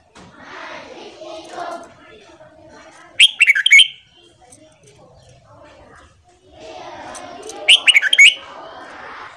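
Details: Red-whiskered bulbul singing a morning song used for voice training: two brief, loud, whistled and warbled bursts about four seconds apart, with softer babbling chatter filling the gaps.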